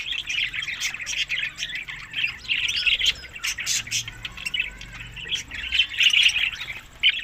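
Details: Several budgerigars feeding on summer food, May to June, in Larkana, Sindh, keep up busy chirping chatter, with scratchy squawks and quick tweets in uneven bursts and a brief quieter lull near the middle.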